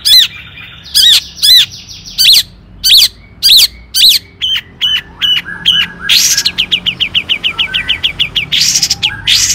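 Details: Long-tailed shrike song in the "toet toet" style, played to make other shrikes sing: evenly spaced sharp notes that speed up into a dense, rattling run of rapid chips toward the end.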